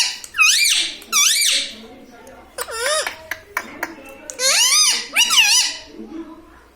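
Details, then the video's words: Indoor pet parrot, trained to say mummy papa: paired high rising-falling speech-like syllables, a pause, then faster clustered wavering calls and a final doubled arched phrase, sharp and clear in a quiet room. "Mummy pappa talking parrot🦜🦜 || mithu hu mithu || मम्मी पापा बोलने वाला तोता"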